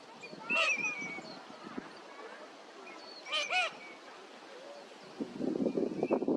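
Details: Eurasian teal wintering at Junsai-ike park in Chiba, Japan, in February 2025, gives short, ringing piping calls: one call, then a quick double about three seconds later, with low murmuring and splashy noise at the end.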